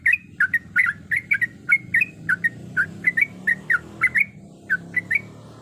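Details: Bubbly, slurred chirps from a female yellow-vented bulbul in breeding condition calling a male, given in quick bursts with short gaps, over a steady low background rumble.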